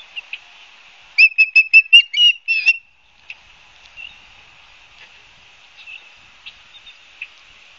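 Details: Osprey nest at Barnegat Light, New Jersey, September 2022: a short burst of about eight shrill whistled chirps in quick succession, followed by faint scattered notes over a steady background hiss.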